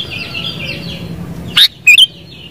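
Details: Sooty-headed bulbul song: after a stretch of soft background bird chatter, a loud short note is followed by two bright, bubbly whistled notes falling in pitch.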